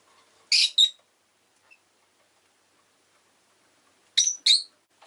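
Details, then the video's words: Orange rosy-faced lovebird kept as a pet, recorded just before it died, calls in two bursts of loud piercing high chirps. Each burst is a quick doubled squeak, with about three seconds of near silence between them. "Lovebird Chirping Sounds"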